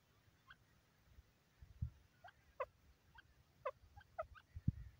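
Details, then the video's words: Francolin (teetar) calling: a series of short, sharp, rising harmonic notes, often paired and repeated irregularly over a few seconds, with low thumping and knocking noises in the background. "teetar kee aavaaz"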